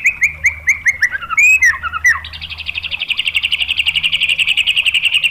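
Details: White-rumped shama, a kept songbird, singing to provoke other shamas into song: a run of repeated falling whistled notes, then loud sweeping phrases, then a fast rapid trill of buzzy notes, about ten per second.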